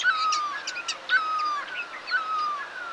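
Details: Chestnut-bellied nuthatch recorded 5 November 2022 beside the Sattal bypass road, India, via phone and spotting scope: three clear descending whistles roughly a second apart, overlaid by brief high ticking notes.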